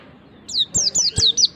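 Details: White-eye singing, played to prompt untrained birds to open their beaks and sing: five quick, high, thin notes sliding downward, each a short bright chirp in swift succession.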